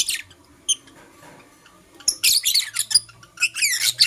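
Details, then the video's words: Sparse high squeaks from Blue Opaline and Parblue Euwing Opaline lovebirds in the morning, then a rush of piercing chirps and a rising squeal near the end. "Lovebird Chirping Sounds"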